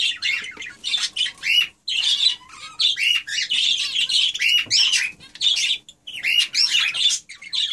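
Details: A budgerigar of a mating pair, which now has five eggs, chatters in rapid, scratchy warbles and chirps during courtship.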